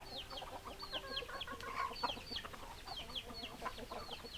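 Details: Chickens, hens and roosters, in a flock: dense chatter of high, down-slurred peeps repeated rapidly over low, short clucks. A steady low hum runs through the first half.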